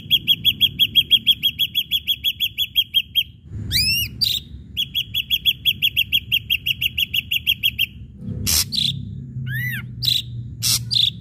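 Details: Ashy drongo singing, used as a lure to provoke other birds to sing: long fast runs of bright, clipped chirps at an even pitch, broken by a few arched, downslurred whistles and a rising slur, over a low background rumble.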